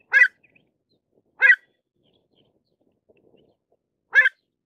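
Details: Pied avocet calling with three single sharp notes, each short and slightly nasal. They come at uneven gaps of roughly one to three seconds, with quiet, clean surroundings between them.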